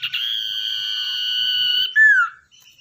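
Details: Long unwavering whistle of a tamed, wild-caught common iora used as a lure bird, nearly two seconds long, cut off by a louder downslurred note.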